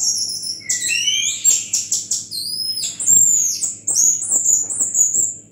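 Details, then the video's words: Orange-headed thrush giving relaxed song in the "gazing at the sky" display: very high, thin sliding whistles and rapid squeaky notes, some rising sharply, with soft clicks between phrases over a low steady hum. "Anis Kembang bunyi santai dengan gaya penampilan "MENATAP LANGIT"."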